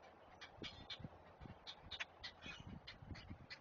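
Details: Great blue heron chicks at a Chesapeake nest being fed, on a live nest cam: harsh, slightly buzzy clacks in quick bursts, mixed with soft low thumps and shuffling.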